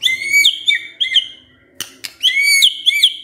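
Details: White-rumped shama singing as a lure to make birds emotional and show their repertoire: clear, ringing whistled phrases with rising-and-falling slurs, paused and repeated, with a few sharp clicks between.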